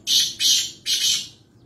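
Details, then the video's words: Harsh, scratchy call of a wild black francolin from Nawabshah, Pakistan: two quick grating notes and a longer third one, loud and close. "Kala Teeter Wild (Voice Only) | Black Francolin"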